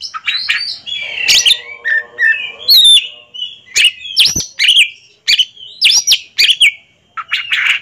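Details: Ringed, captive Oriental magpie-robin song during a two-bird duel: rapid mix of sharp chips, high upswept whistles and warbled notes in short bursts; a low buzzing tone hums beneath for a second early on.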